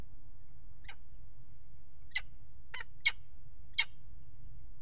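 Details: Peregrine falcon at a nest box on a water tower in Axel, 5 February 2018, with a pair mating on the nest ledge; five short, harsh, scratchy calls at uneven intervals over a steady low rumble.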